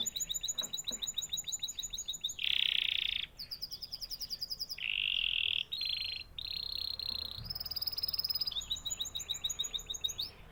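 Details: Continuous canary song built from fast repeated-note trills interrupted by loud, steady buzzy tones, with the phrases changing pitch every second or so.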